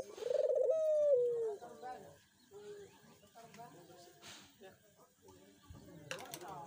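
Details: Barbary dove, recording meant to prompt silent doves to call: a loud, mellow, hollow coo slides gently downward over about a second, followed by softer, muffled cooing and faint background sounds.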